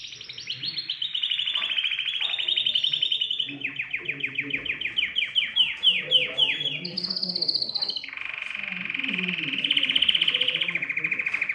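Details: Canary in full song, played to stimulate other birds to sing; a series of rapid rolling trills, first descending notes, then clipped fast tours, a bright high rattle, and a long, lower, steady roll at the end.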